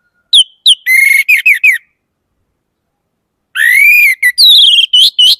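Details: Orange-headed thrush singing short bursts of clear, whistled notes with rising and falling slurs: a quick cluster of phrases, a pause of nearly two seconds, then a longer upward-sweeping whistle followed by several rapid varied notes.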